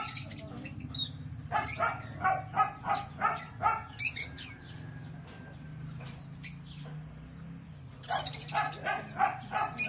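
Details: Lovebirds (Agapornis) kept by breeders chattering in loud, rapid shrill chirps, about three per second, pausing briefly mid-way before resuming, over a low background hum.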